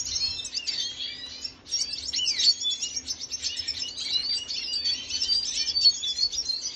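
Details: Song of a red siskin of Venezuelan origin, 2022.06.25: dense high-pitched twittering and buzzy trills, a short pause near the start, then continuous rapid chatter.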